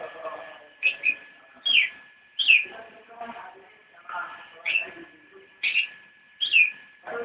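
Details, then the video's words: Javan white-eye in nyinden song: separate high, sharply rising chirps spaced roughly a second apart, with a constant hum beneath. "Cicak rowo nyinden"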